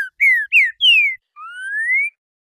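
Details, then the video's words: Green-winged saltator giving the classic four-note renegado song ending in 'boi': opens mid-phrase on a clipped note, then three sharp falling whistles and a long, gently rising closing whistle. No background sounds. "TRINCA FERRO RENEGADO CANTO CLÁSSICO 4 NOTAS E BOI"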